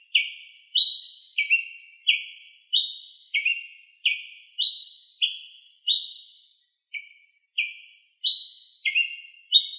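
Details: A ruby-crowned tanager sings in the wild. It gives a lively series of about sixteen clipped, downslurred chirps that alternate between a higher and a lower note, with one brief pause midway. The background is quiet.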